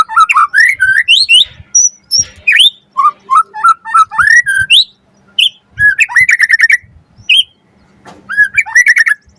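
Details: White-rumped shama in loud, energetic full song packed with varied phrases, used as a lure to make other shamas answer and as tutoring material: rich whistled notes rising and falling, quick slurred runs and short bursts separated by brief pauses.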